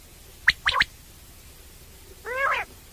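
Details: Common quail giving three quick, sharp liquid notes, then a lower, nasal, rising-and-falling note about two seconds later over a quiet background; a male quail call used for morning and night hunting.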